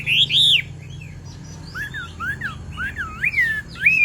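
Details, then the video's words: Hwamei song with the female urging the male on: two loud arched whistles, a short pause, then softer scattered slurred notes leading to a final rising whistle. "Hoạ Mi Hót Rả Rích Nghe Cực Thích/ Tiếng Chim Hoạ Mi Hót Kích Bổi Nhanh Sổ Giọng"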